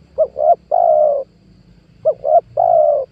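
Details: Spotted dove lure call recorded in 2022 for attracting wild doves: two low cooing phrases, each two quick short notes followed by one long drawn-out coo.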